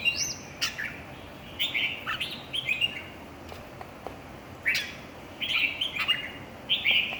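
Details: Red-whiskered bulbuls singing in a competition: repeated lively warbling phrases, clear whistled notes given in short bursts every second or so, with scattered sharp clicks and chirps.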